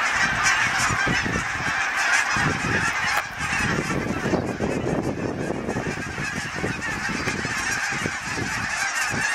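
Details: A flock of Canada geese flying south on migration, recorded from a balcony, honks continuously overhead, with many overlapping nasal two-note honks at a rapid, uneven pace.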